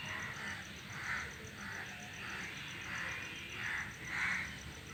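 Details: Several crows perched together in a tree call noisily, rough caws of fairly even strength repeated about every half second to second, the last ones slightly louder, with steady hiss behind.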